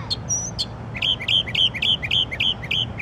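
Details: Unidentified songbird singing in the middle of the night, part of a varied repertoire: a couple of sharp high notes, then a regular rapid series of clear piping notes, roughly three to four per second, over faint low background noise.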